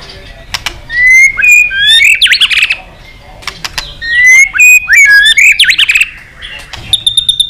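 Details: White-rumped shama in intense competitive song, used to stimulate other birds to sing: rich whistled phrases sweeping up and down, with buzzy rising notes in two bursts, then a quick run of sharp ticking notes at the end.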